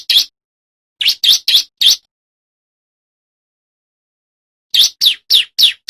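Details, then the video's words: Bar-winged prinia male singing loudly and clearly, used as a lure and training track: a single chip, then two tight bursts of five bright, slightly falling high notes, with long silence between. "Suara Ciblek Jantan Gacor Nembak Rapat Untuk Masteran Dan PIKAT Burung CIBLEK Liaran Di Alam"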